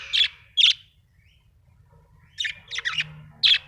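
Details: Happy budgerigar chirping: short bright chirps, two at the start, then a quick cluster of three or four after a pause, and one more at the end, over a quiet low hum.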